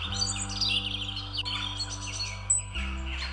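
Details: Wild parakeets calling in London's St. James's Park. Dense, overlapping high chirps and thin squeaks run continuously, with a brief clear whistle partway through. Sustained low music plays underneath throughout.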